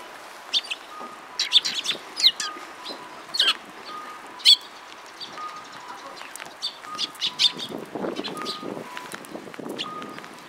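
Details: Sparrows at a bridge, afternoon of 31 March 2022, sounding scattered high chirps in small clusters, a few louder than the rest, with wing flutters and a steady faint tone in the background.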